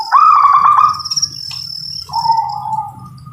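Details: Local zebra dove singing: a burst of rapid, trilled staccato cooing notes, then a lower, smoother purring phrase, over a steady high electrical-sounding tone and faint insect chirring.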